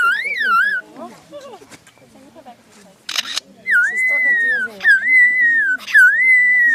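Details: Mimicking lyrebird from Australia: ringing whistled notes arching up and down, a scratchy burst, then long level whistles that drop at each end, repeated three times, with a man's voice in a quiet gap.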